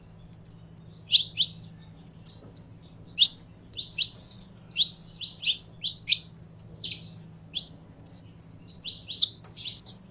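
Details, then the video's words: Saffron finch kept by a bird keeper, being warmed up to sing. It gives sharp, high chirped notes in short bursts spaced about half a second apart, with some brief pauses, over a steady low hum. "Canário da Terra Esquentando em 3 2 1!!!"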